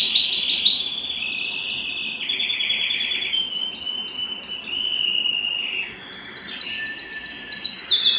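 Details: Excited canary at home that wants to mate: song of distinct tours, quick high notes, then long buzzy rolls stepping down in pitch, closing with bright rapid repeated notes.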